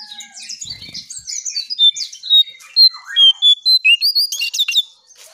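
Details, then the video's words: Striped tit-babbler lure song: scratchy twittering first, then a steady series of loud, clear, high whistles repeated about three times a second, finishing with a short chatter. "𝙋𝙖𝙣𝙘𝙞𝙣𝙜𝙖𝙣 𝙟𝙤𝙣𝙜𝙠𝙖𝙣𝙜𝙖𝙣 𝙥𝙖𝙡𝙞𝙣𝙜 𝙙𝙞𝙘𝙖𝙧𝙞"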